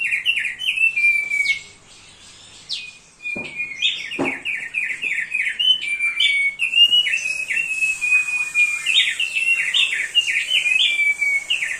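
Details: Song of a thick-billed heleia, used as a training master: fast runs of short descending chirps and sustained level whistles, briefly interrupted near two seconds by a pause and a couple of low clicks, then resuming steadily.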